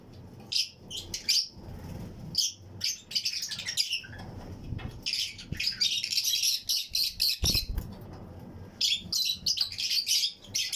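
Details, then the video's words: Colony of Fischer's and lutino lovebirds in a flight cage aviary, chirping and singing with other birds around them: shrill, rapid high chirps and squawky notes in irregular clusters throughout, over a faint low rumble. "Fischers & Lutino Colony Chirping Sounds"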